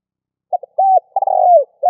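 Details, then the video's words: Spotted dove call used for luring: two short notes, a flat sustained coo, then a rolling coo gliding down, with the start of another note cut off at the end; no other sounds. "Cu gáy gọi hay kích bổi nhanh nổi"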